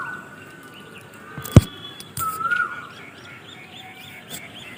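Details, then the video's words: Birds chirping at sunset in Dharmanagar, Tripura: a sustained whistled tone with a brief swelling note, faint chirps behind, and a sharp knock midway. "Beautiful Birds Chirping Sound With Sunset Time"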